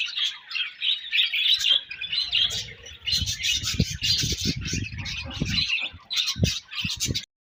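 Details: Budgies give sweet chirping sounds: a steady warbling chatter of high twittering notes, broken by short sharper chirps, with light thudding and rustling in the background.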